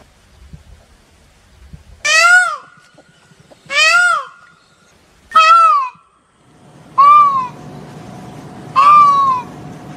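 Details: Peacock giving five short, loud, ringing cries spaced roughly every one and a half to two seconds, each slightly rising then falling, with brief echoing tails and a low rumble in the later part.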